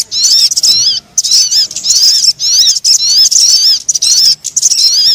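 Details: Crimson sunbird squeaky twitter used to lure birds, fast high notes sliding up and down in longer bursts, about seven, separated by short silences.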